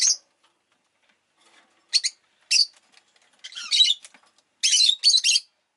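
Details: Rosy-faced lovebird, a pet bird, chirping in harsh shrill bursts: a squeak, two short chirps half a second apart, then longer raspy screeches and a final triple burst.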